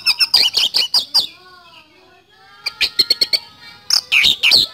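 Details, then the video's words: Kacer (Oriental magpie-robin) singing continuously: rapid runs of sharp, chippy whistles separated by a lull where soft, low tonal hums are heard, then another fast flurry of high, ringing notes. "Kacer Gacor Nembak Speed Roll"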